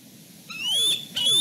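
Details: Bald eagle siblings at dusk at their Fraser Point nest, tussling over position on the branches after a male returns. Two loud, high, thin whistled notes with a sliding squeal beneath, about half a second apart.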